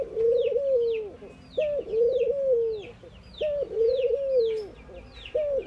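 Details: Indian ring-necked doves cooing in morning activity: a short sharp note, then a long, steady, arched coo, each pair repeated about every 1.8 seconds, with small birds chirping high in the background.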